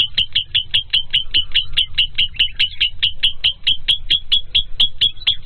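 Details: Lovebird chirping in a long fast run of sharp, high, clipped notes, slightly uneven in spacing, with a low murmur of background noise throughout.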